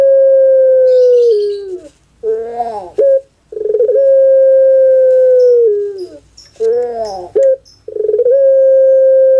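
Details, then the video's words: Puter pelung dove kept in Java, Indonesia, performing its anggungan: long, pure, steady notes that sag at the end, each followed by a harsh, bubbling, rolling phrase, in two full cycles with a new long note starting at the end. "KONSER ANGGUNGAN PUTER PELUNG"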